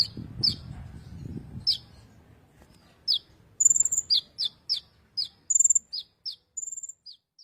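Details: Kolibri ninja song, used as master song for training magpie-robins: a series of short, high, sharp chirps and thin whistled notes repeated at irregular intervals, preceded by a low rumbling noise in the first two seconds.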